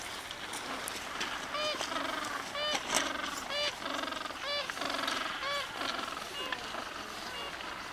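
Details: Penguins calling at a noisy colony on Brown Bluff, with harsh, honking calls rising in stacked, arching tones, several bursts a second apart over a steady background of many birds and wind-like rushing noise.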